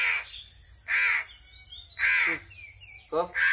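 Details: Starving crow calling during hand-feeding: four loud, hoarse caws about a second apart, with soft thin whistled sounds faintly audible in the gaps.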